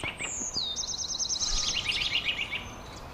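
A robin sings a high, thin phrase: a clear sliding whistle, then a rapid run of sweet, tinkling notes. A faint background hiss is heard.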